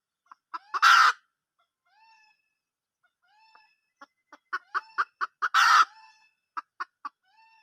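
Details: Calling of a wild junglefowl hen: clucks lead into a harsh loud squawk, then quiet thin whines, a rapid run of clipped clucks and a second raucous squawk, with more clucks after it.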